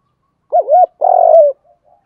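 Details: Spotted dove, male and female calling as a lure for wild birds: a wavering double coo followed at once by one long, throaty, slightly falling coo, then quiet.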